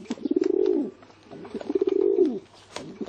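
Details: Soft, low pigeon coos, two long pulsed rolls that rise slightly and fall away, about one every one and a half seconds, with the start of a third at the end.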